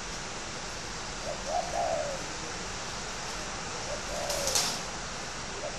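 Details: Captive spotted dove kept as a fighting bird at Ba Vì, Hanoi, Vietnam, utters faint soft coo phrases, a brief lead note then a descending drawl, partly buried in constant hiss with a brief high rustle.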